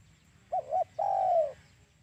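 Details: Spotted dove call for luring doves into traps: two brief hooting notes, then one long, smooth coo that slides gently downward, against a quiet low rumble.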